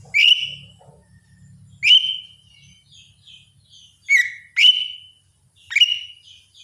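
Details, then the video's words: A lesser green leafbird sings in the morning, giving five piercing whistles that snap upward and then hold level, with faint softer chirps between them and a low murmur at the start. "cucak ijo mini RUTINITAS bunyi di pagi hari"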